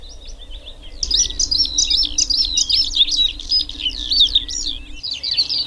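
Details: Bluethroat singing: after a quiet first second, a fast, continuous, varied stream of high chirps, twitters and sharp whistled notes, tumbling without pause to the end over a faint low hum.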